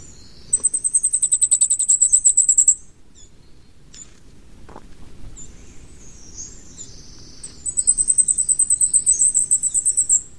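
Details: Flamecrest, a Taiwanese endemic of middle and high mountains, delivers two fast two-second strings of piercing high pulses separated by a quiet stretch with faint high chips and a low background hum.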